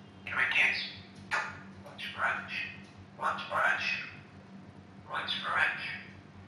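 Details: Captive female African grey parrot, about two years old, known for talking: a run of five hoarse, speech-like syllable groups in quick succession, indoors with a low electrical hum.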